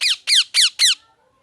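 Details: Parrot, locally called mithu, chirping: four quick, harsh, high squeaky notes, each sliding downward with a rich buzzy tone, spaced about a quarter second apart, then near silence.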